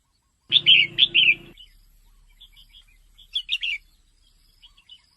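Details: Female red-whiskered bulbul, kept caged, calling to stimulate males: a loud opening burst of three warbled whistles with a low hum, then softer scattered chirps and a short warbling phrase.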